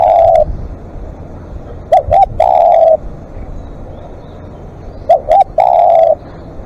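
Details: Spotted dove, live decoy, calling at length: the tail of one long coo, then two full phrases of two short coos and a drawn-out coo about three seconds apart, with sharp clicks.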